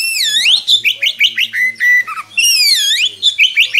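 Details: Oriental magpie-robin singing at length as a tutor for young birds, with deep swooping whistles, rapid stuttered notes, a held flat whistle and a dropping trill.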